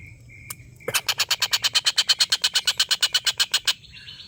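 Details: Collared kingfisher's extended laughing call, used as training material for competition white-rumped shamas: a thin steady whistle, then about twenty-two rapid, raspy, evenly spaced notes, with the whistle continuing afterward.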